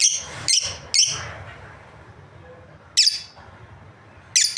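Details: Breeding pair of lovebirds giving a few shrill chirps, three early in quick succession then two more after a long pause, with some low background rumble.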